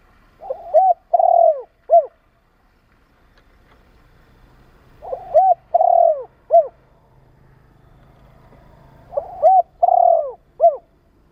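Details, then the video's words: Repeated cooing of a spotted dove, used to excite and train newly caught birds: three phrases roughly four seconds apart, each with soft lead notes, a drawn-out descending coo and a short last note; low hum in background. "Tiếng chim cu gáy kích bổi,tập bổi nhanh nổi hiệu quả"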